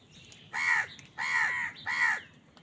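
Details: Three loud, evenly spaced, grating caws from a crow in a fight for food, over a low background murmur.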